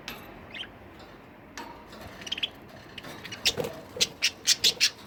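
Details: Budgerigars at home, quiet at first, then breaking into a run of evenly spaced sharp chirps, about five in the last second and a half, growing louder.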